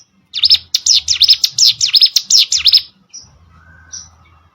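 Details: Song of a hill prinia, known locally as cigun or prenjak gunung, recorded as tutoring audio for contest birds: a two-second rattle of sharp, down-up sweeping chirps, then faint low hum and a soft whistle.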